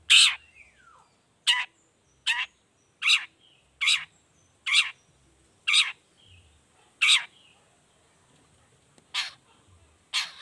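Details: Long-tailed shrike in vigorous 'toet toet' variation song, used as a lure to prompt other shrikes to sing: harsh, broadband rasping notes repeated about every second, with a brief thin downslurred whistle at the start.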